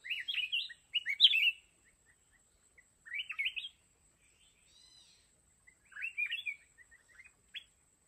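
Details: A red-whiskered bulbul kept as a decoy for a fighting trap gives three separate bursts of bubbly, slurred whistled notes spaced a few seconds apart, ending with scattered single chips.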